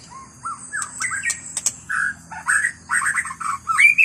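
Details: White-rumped shama in the wild forest giving a busy mix of short harsh notes, quick chirps and whistled slurs, ending on a bright rising whistle.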